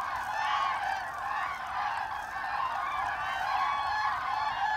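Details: Common cranes on autumn migration over Hesse, Germany, 25 October 2021: a dense flock chorus of overlapping rolling, trumpeting calls, continuous throughout with steady loudness and no other clear sounds.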